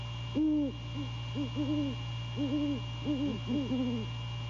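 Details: Deep rhythmic hooting by a male great horned owl calling to his mate at the nest at night in January, courting: seven low arched hoots, some doubled, about half a second each, steady hum beneath.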